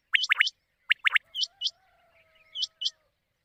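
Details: Quail lure call for night hunting in the Sawan monsoon season: quick paired chirping notes, then softer high whistled notes spaced apart, with a faint steady electronic-like tone running underneath.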